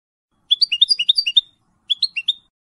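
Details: European goldfinch hybrid, a colour bird from 2022 with a large white chin, almost through its first moult. It gives two bursts of quick, bright twittering and chirping notes, a longer phrase of about a second, then a shorter one.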